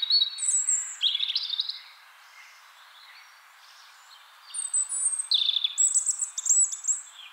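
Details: A European robin's spring song: two high, thin phrases of sweet warbles and trills separated by a short pause, against a quiet background.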